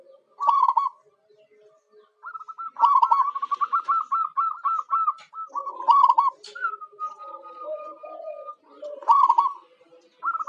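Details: Zebra dove (perkutut lokal) cooing used as a lure for wild birds: loud rolled coo phrases and a long run of quick, evenly pulsed notes, with overlapping lower coos that suggest more than one dove.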